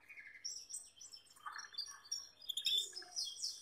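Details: Male Gloster canary with a female, cuddling close: a quick run of bright, high twittering chirps and short trills, varied notes tumbling one after another.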